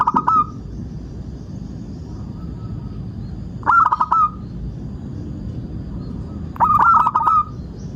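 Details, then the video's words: Lure song of a local zebra dove, meant to set other doves singing: three loud phrases of quick, stuttering coos, each ending in a sustained note, spaced roughly three seconds apart, with faint softer coos and a low background rumble between them. "Perkutut loka gacor pancingan agar burung perkutut BUNYI dan GACOR"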